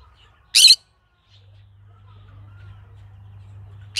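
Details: Green-cheeked conure giving a single harsh, loud squawk lasting a quarter second, then quiet with a steady low hum underneath.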